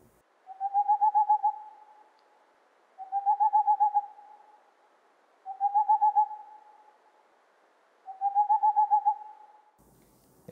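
Boreal Owl giving rapid trills of soft, hollow hoots, each about a second long and rising slightly, repeated roughly every two and a half seconds in a quiet setting.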